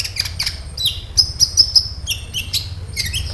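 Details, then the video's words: Sunbird song used as a lure recording to make other sunbirds respond and sing: short sharp high chirps and brief thin whistled notes, loosely spaced, with a soft low hum underneath. "SEMUA Burung KOLIBRI CUEK LANGSUNG RESPON DAN GACOR Dengan PANCINGAN INI!KOLIBRI NINJA GACOR"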